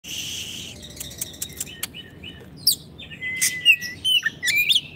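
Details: Oriental magpie-robin, a caged bird used for song training: a varied, fairly quiet start of sharp chirps and thin whistles that builds into louder rising and falling whistled phrases near the end.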